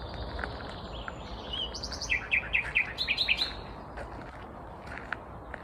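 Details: Vagrant Common Nightingale singing unseen in Kvarnbo, a suburb of Uppsala, Sweden, on a May 2021 morning: a quick run of repeated sharp notes, then higher fast rattling phrases, over a steady low background rumble.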